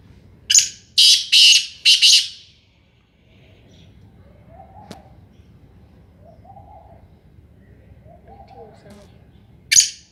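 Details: Black francolin, the Sindhi kala tetar, giving four harsh, buzzy, scratchy bursts in quick succession and a fifth after a pause, with soft low cooing of another bird faintly in between.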